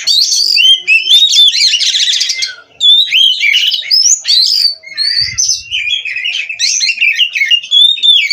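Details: Caged Oriental magpie-robin (kacer) from an Indonesian breeder in nonstop song: loud whistled notes, buzzy rattling passages and quick chattering runs, with a brief low thump near the middle.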